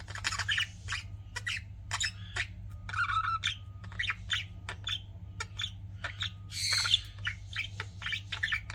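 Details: Pet budgies chirping: a busy run of short scratchy chirps and squawks, irregular and overlapping, over a steady low electrical hum.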